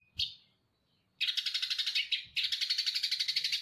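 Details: Eurasian tree sparrow singing in a shrike-imitating 'cendet Damar Wulan' style, from Jember: a single sharp chirp, a pause, then two dense buzzy rattling bursts of rapid high notes.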